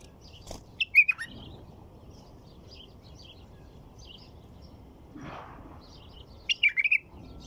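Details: White-eared bulbul song: short slurred whistled phrases near the start and again toward the end, with faint twittering of other birds between and a brief rushing noise mid-way.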